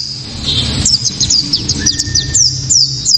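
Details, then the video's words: White-eye (pleci kaca mata) 'tembakan' lure song, loud and piercing: a quick series of high, thin, falling notes repeated several times a second, with a steady lower tone partway through. "Pleci kaca mata‼️tembakan‼️penuh sensasi‼️ pleci bakalan ❓ pasti langsung ikut Gacor"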